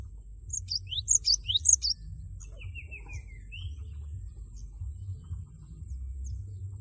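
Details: Cinereous tit giving its loud 'wucit wucit' song to stir a rival into singing: a brief cluster of three high sharp phrases, followed by a falling buzzy trill and a short rising whistle, then faint low hum.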